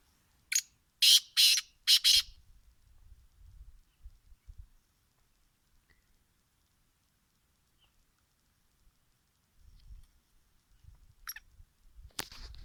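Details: Wild black francolin heard in winter: three loud scratchy notes in a quick burst, then near silence with faint low rumbles and a couple of distant clicks at the end.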